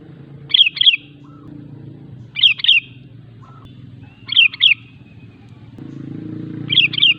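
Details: A persistently singing sooty-headed bulbul, used as a lure so that other bulbuls answer and wild birds approach. Four brief double-noted chirpy whistled phrases come roughly every two seconds against a constant low background hum.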